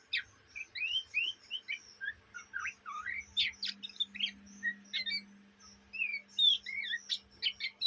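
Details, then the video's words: Oriental magpie-robin youngster (kacer trotolan) chattering ngriwik-style day and night: a steady stream of short rising whistled slurs and harsh squeaky notes, roughly two to three per second, with a low electrical hum underneath. "kacer bahan ngriwik siang malam"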